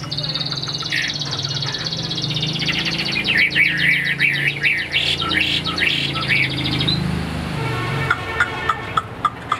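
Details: A Chinese hwamei, about 85% tame and not yet in full condition, pours out a loud, rich song of rapid whistled and chattering phrases, rising and falling, with a low hum and a few sharp taps behind.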